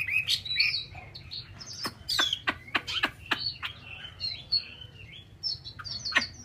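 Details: Chinese hwamei kept as a cage bird, delivering a fast, varied song of high twittering notes, quick downward sweeps and short whistles, closely packed and continuous throughout.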